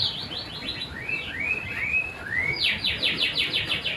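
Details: Long-tailed shrike (tengkek buto) in clear, vigorous song, recorded 14 December 2025: a rapid chattering run, several rising slurred whistles, then another fast series of scratchy notes.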